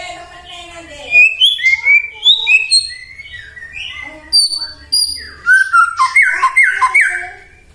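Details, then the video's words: White-rumped shama song used as a lure to provoke other shamas to sing: varied clear whistled phrases around mid-high pitch, ending in a fast run of repeated down-slurred notes. "murai batu gacor AMPUH buat PANCINGAN murai batu agar bunyi"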